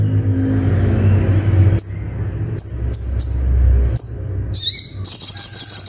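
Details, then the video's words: Little spiderhunter, given as a birdsong training recording, sings high, sharp whistled bursts after a low droning rumble, then runs into a fast rattling trill near the end. "MASTERAN SOGON FULL TEMBAKAN TAJAM"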